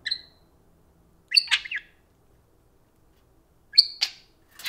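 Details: A pet parakeet, one of two taking turns talking to a spoon, gives short bright chirps with clear overtones in three bursts separated by silence in a quiet room.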